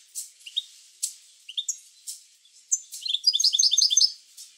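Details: Scattered sharp high chirps give way to a fast, bright twittering phrase from a European goldfinch, sung to prompt goldfinches to sing.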